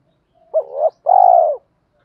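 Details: Spotted dove coo for training decoy and newly caught doves: a single phrase of a short, rising two-part note followed by a long, smooth, slightly falling coo.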